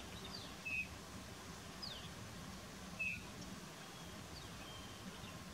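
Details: Rufous-tailed lark calling in fog: two brief, sharp, high notes about two and a half seconds apart, with faint thin downslurred notes between them, over a steady low rumble of background noise.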